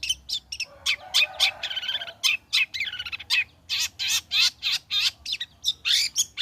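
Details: Song of a long-tailed shrike after its moult, played to draw song from other shrikes: a dense, fast string of high, varied notes, some scratchy, some warbled, with brief pauses.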